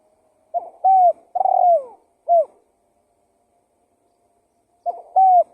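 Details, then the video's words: Spotted dove calling as a lure: one complete phrase of a stutter, a level coo, a rolling falling coo and a clipped last note, then about two and a half seconds of silence and the start of another phrase. "Suara Pikat Burung Tekukur Gacor"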